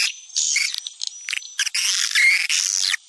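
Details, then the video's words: Swiftlet calling sound popular in Sumatra, used to attract swiftlets: bursts of high, dense twittering chatter with thin whistled tones, broken by short pauses and a faint sliding chirp near the end. "Suara panggil walet"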